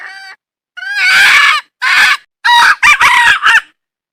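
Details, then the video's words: Red junglefowl hen in the wild giving a series of loud, harsh, nasal call notes: a brief lead-in note, then a long swelling note, a shorter one and a rapid broken cluster of notes, with no other sounds. "Suab poj qaib qus seev tsauj dib tuaj zoo"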